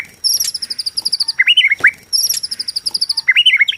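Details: White-rumped shama of Borneo in song used to provoke rival shamas: rapid high chittering series twice, each followed by a short wavering whistled phrase.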